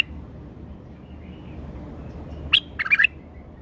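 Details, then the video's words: A tame male bulbul gives a brief burst of bright, slightly harsh notes near the end, one sharp note followed by a quick cluster of chattering phrases, over a quiet background. "بلبل فحل اليف تغريد"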